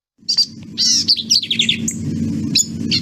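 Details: Black-capped Vireo song with a nasal tone: very short, emphatic high notes and quick phrases in rapid bursts, some sliding downward, over a steady low background hum.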